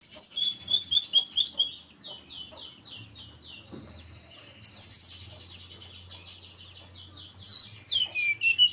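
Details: Local Hill Blue Flycatcher from Merapi, a young bird learning its song. A rapid run of high whistled and trilled notes is followed by a pause, then a sharp bright burst and a final swooping, slurred whistle.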